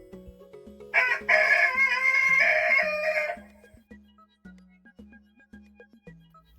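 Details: Chicken, presented as a hen, played for children to recognise: a loud, drawn-out, strained crowing call lasting about two seconds, set over a light, repeating electronic music backing.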